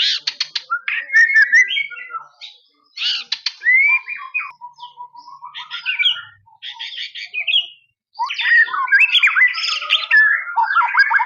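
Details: Gacor song of a captive white-rumped shama from Indonesia: clipped chirps and rising whistles, a steady string of low notes in the middle, a short silence, then a rich tumbling run of warbled and whistled notes.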